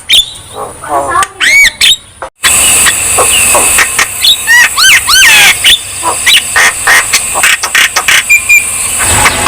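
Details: Javan myna in full song, meant to prompt lazy birds to sing: varied curved whistles, rising slurs and rasping squawks in quick succession over a steady high hiss.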